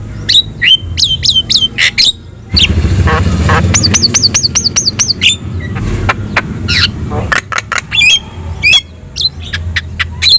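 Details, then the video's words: Javan myna song meant to get other birds to respond: repeated high whistled, wavering notes in bursts, sharp clicks and squawks, with a stretch of rushing background noise in the middle. "SUARA MASTERAN JALAK KEBO GACOR | Cukup Putar 2 Menit,Di Jamin Burung Lain Bakal Respon"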